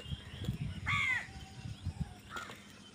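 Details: Crow fighting over food gives one harsh, drawn-out caw, then a shorter, fainter one, against a busy background of low rumbling noise.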